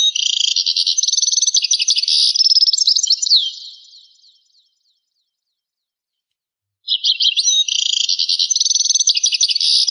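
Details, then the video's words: European goldfinch song, a rare recording dated to 1985: rapid high tinkling twitters and buzzy notes in a long fluent phrase, a pause of about two seconds, then another dense twittering phrase; no other sounds. "تغريد طائر الحسون"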